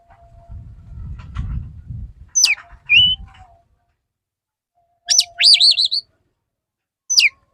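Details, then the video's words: Male Oriental magpie-robin courting a female: sharp descending whistled notes and a wavering warbled phrase separated by pauses, with low rumbling background noise early on. "Pancingan burung kacer jantan perayu burung kacer betina gelis"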